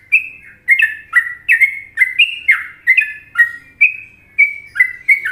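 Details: A popular Indonesian Trucukan song by the sooty-headed bulbul: a chattering string of about a dozen sweet, warbled whistles, some paired, sliding between higher and lower pitches, ending with a slight click.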